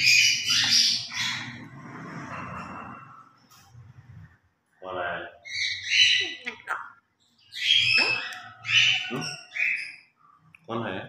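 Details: Grey parrots kept as pets in a morning play session, giving harsh squawks, word-like mutterings and sharp whistled notes with short pauses, over faint background murmur.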